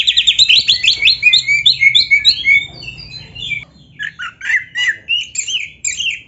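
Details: Kacer, the Oriental magpie-robin (black-breasted), in 'gacor full isian' training song. Opens with a fast rattling trill of repeated notes sliding into slurred whistles, then after a brief hush, spaced chippy and twittering phrases.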